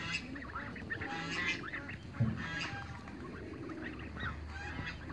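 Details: In a backyard, a group of running young Toulouse geese gives scattered, softer honks with a brief thump midway. Background hum and rustling noise are present.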